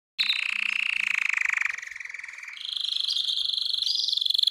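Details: Canary singing to stimulate females for mating, used for song training: a rapid, pulsing low roll held for about two and a half seconds, then an abrupt switch to a brighter, higher trill that continues steadily.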